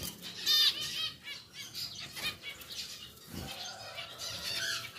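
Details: A pair of pied zebra finches watched in their new, larger cage; one sharp nasal call rings out early, followed by softer scattered calls over a noisy background.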